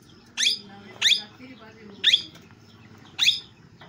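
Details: Parrot, described as natural, uttering four loud, piercing squawks spaced about a second apart, each a quick harsh sweep, over a low background murmur.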